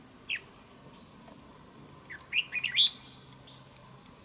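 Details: Red-whiskered bulbul used as a fighting decoy in trapping: short bright chirpy phrases of warbled notes around 0.3 and 2.3 to 2.9 seconds, with a steady faint high tone in the background.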